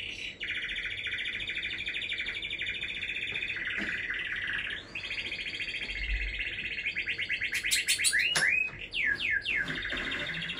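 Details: Canary song, softer and more distant: a long steady rolling trill held for several seconds, then a burst of sharp rising and falling whistles and quick chirps near the end, over faint background hiss.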